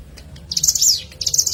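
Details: Prinia called ciblek gunung, a lure recording: one high rapid chattering phrase with a falling end, then the start of a second.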